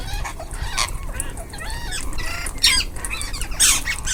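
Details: Several ringneck parrots eating in a group, uttering wavering harmonic squawks and chattering calls, irregular and overlapping, with noisy bursts and steady low hum behind.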